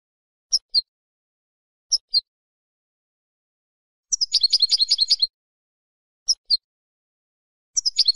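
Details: European goldfinch recorded for silvestrismo, the Spanish pastime of keeping and training wild finches as songbirds: short paired high twittering notes spaced about a second apart, broken by two longer rapid liquid trills.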